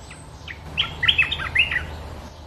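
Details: A sooty-headed bulbul, the territory owner, sings in answer to a rival while dancing nonstop: a quick one-second burst of liquid, bubbling notes over a low background rumble.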